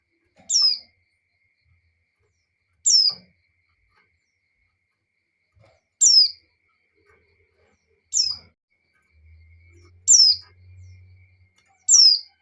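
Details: Female white-eye in breeding condition calling to a male: clear high descending whistled notes, each sliding downward, repeated roughly every two seconds, six calls in all, with a faint low hum in the background.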